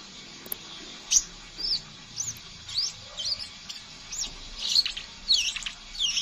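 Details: Scarlet minivet chattering, used as a lure sound to prompt birds to sing: thin, high, up-slurred whistled notes repeated about twice a second in a lively twittering series, over a faint steady hiss.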